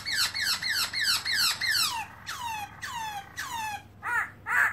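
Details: Black-throated laughingthrush (Garrulax chinensis), recorded in 2017 while showing its open tail, gives a run of rich downslurred whistles repeated about three per second, followed by longer falling notes and a few short rising chirps over a faint low hum.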